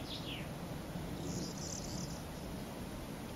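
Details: Corn bunting song in Couëron, France, June 2015: a few quick high ticking notes speeding into a dry, jangling buzz like shaken keys, heard faintly over a steady low wind-like rumble.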